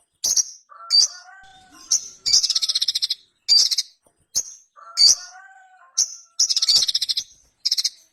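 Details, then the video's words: Ruby-cheeked sunbird singing loud "gacor konslet" style: sharp high chips alternating with fast, stuttering rattled trills roughly every second, accompanied by quieter lower whistled slurs between bursts. "SOGON GACOR KONSLET - KICAU SOGON GACOR JERNIH"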